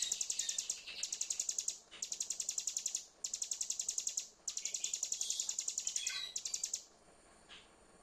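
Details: Trigger recording of hill prinia song for a silent bird: bursts of quick, sharp, high-pitched repeated notes, each burst around a second long, ending in a short downward slur before quiet at the close.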